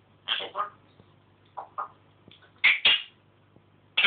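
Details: Pet African grey parrot indoors making various imitated noises: soft scratchy syllables, then two louder harsh squawk-like calls close together, with quiet hum in the background.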